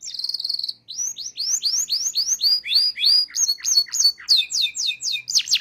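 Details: Local canary singing in a training recording, full trilling song: a held note, then a fast series of rising-falling whistled sweeps repeated about three per second, ending in sharp downward slurs, clean with no other sounds.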